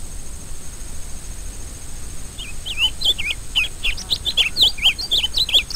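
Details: Rusty-collared seedeater singing: after a quiet start, a rapid stream of high warbled notes, looping up-and-down slurs and short twitters fills the last three seconds, over a constant high-pitched hum.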